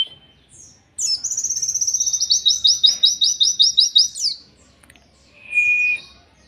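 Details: Oriental white-eye singing 'killer endok tato', a training song for songbirds: a sharp upslurred note opens a rapid, even string of about twenty high chips lasting three seconds, ending in a downslur; a short level whistle follows after a pause.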